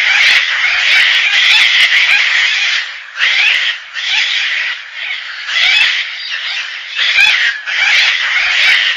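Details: Gang-gang cockatoo calling steadily with long, harsh, grating screeches and shorter creaky bursts, nearly continuous over several seconds with only brief pauses.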